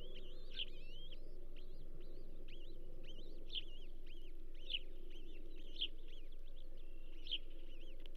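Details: Osprey at its Charlo nest, 15 June 2024, as a second bull trout arrives: a steady run of high, wavering whistled chirps, with stronger piercing notes about every second, over a low droning hum.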